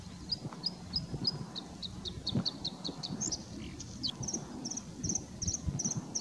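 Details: Bluethroat in the Großes Torfmoor (Hiller Moor) bog, North Rhine-Westphalia, Germany, giving a run of thin, high ticking notes about three per second, then a brighter, varied twittering phrase over a low wind rumble.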